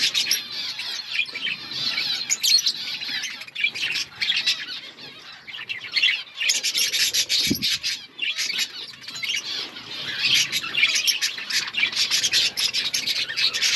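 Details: Outdoor colony of budgerigars producing a continuous scratchy, buzzy chatter of many birds, with bursts of high chirping, a brief lull near the middle, and a low thump.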